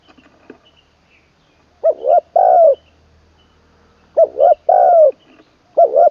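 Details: Spotted dove kept as a decoy bird from Buriram in Thailand's Isan region, in its third training session. It coos in the style called khan long kuk wai, full middle notes: two short coos, then a longer falling coo. The phrase repeats about every 2.5 seconds.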